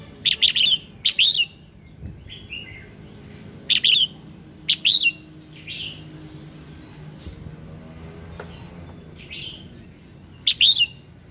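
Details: Red-whiskered bulbul morning song, used to prompt other birds into singing: short loud whistled phrases with a sharp click then a warbled rising-falling note, given in bursts with long quiet gaps and faint softer notes between.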